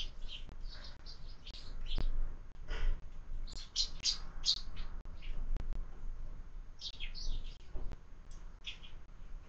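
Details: Sparrows feeding at a window-mounted feeder at breakfast: bursts of quick, high chirps and tweets, several birds calling in clusters with brief gaps, plus occasional knocks and a steady low rumble underneath.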